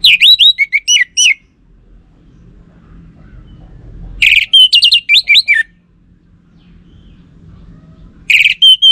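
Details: Orange-headed thrush song played as a lure to make males respond. Three bursts of varied slurred whistles and chirps are separated by pauses of about three seconds, with the last burst cut short.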